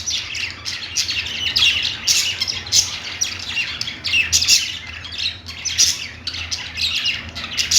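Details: Budgerigar song from pet birds on a perch: fast, buzzy chirps and squeaky notes in rapid, irregular bursts, continuous throughout, over a quiet low-pitched room hum.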